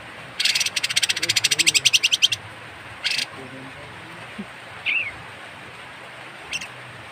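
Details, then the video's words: Harsh, strange-sounding call of a kapas tembak bird, recorded for training songbirds: a fast rasping rattle of about two seconds, then a short harsh burst and a few faint chirps in a quiet background. "suara aneh burung kapas tembak"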